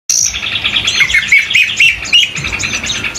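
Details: Oriental magpie-robin, known locally as kacer, singing vigorously: a dense run of varied whistled and chattering notes, sliding phrases and quick trills, sustained for the whole stretch.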